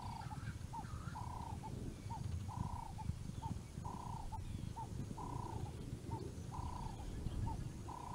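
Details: Swainson's spurfowl male calling to show off at Naledi Cat-EYE on 10 November 2020: a steady series of harsh, grating notes alternating short and long, roughly one per second, with a steady low rumble behind.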